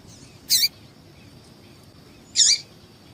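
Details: Female yellow-bellied seedeater calling to excite males, used by breeders preparing males for singing tournaments; two short, high, buzzy chirps with a dropping tail, about two seconds apart, over a faint steady hiss.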